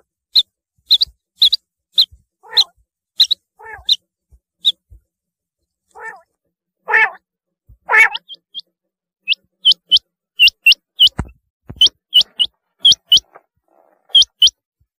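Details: Rain quail calls: runs of short, high metallic notes, many in quick pairs. A patch of lower, harsher chattering sounds comes midway, then a rapid series of paired notes resumes toward the end.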